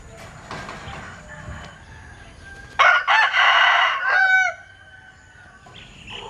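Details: A rooster of the Linh Kê chicken type, noted for a strange crow, breaks a quiet background with a loud, rasping crow of several choppy segments and a short dropping finish.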